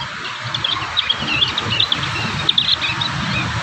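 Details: Young prinias learning their song, recorded in natural surroundings in Indonesia: a run of thin, high chirps and short twittering phrases with a steady background hiss and a low rumble.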